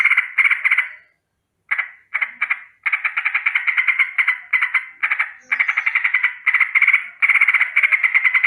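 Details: Morning alarm rattle of a yellow-vented bulbul: short rolling bursts, a brief silence after the first second, then long runs of rapid, evenly repeated harsh notes.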